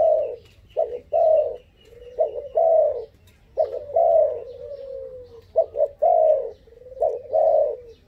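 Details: A five-month-old dove, said to be very daring, repeats clipped double coos followed by a sustained falling note, about forty phrases a minute, low and mellow, with a faint thin whistle in the background.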